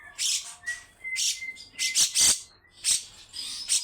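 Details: Grey-cheeked bulbul with long, coarse besetan rattles. Scattered harsh bursts alternate with a thin sustained whistle.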